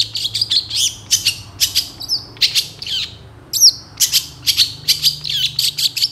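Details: A long-tailed shrike pours out a scratchy chattering song full of imitations: quick high chips and buzzes interspersed with a couple of clear looping whistles.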